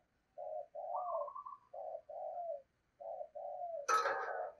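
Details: Spotted dove kept as a decoy, cooing in low, mellow notes with one higher trill, before a sharp loud knock or clatter at the end.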